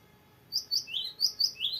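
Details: Cinereous tit in full song, the long rolling style used to tutor young birds: a short run of bright high whistles alternating with lower downslurred notes in quick succession.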